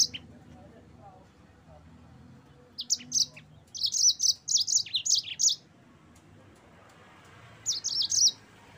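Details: Yellow-fronted canary singing in short bursts for training kept birds: after quiet background, a run of rapid high sweeping chips lasting about three seconds, silence, then a brief final burst of twittering notes.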